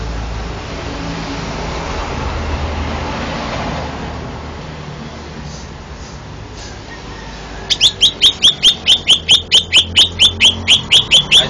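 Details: Champion cucak ijo (green leafbird) from a Banten singing competition, Indonesia: after several seconds of rumbling background noise, it gives a rapid, evenly repeated series of bright, high chipping notes that continues to the end.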